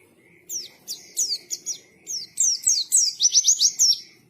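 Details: A white-eye sings a stream of high downslurred whistles that speeds into a quick run of rising chips. The notes come roughly four per second, with a faint low background murmur.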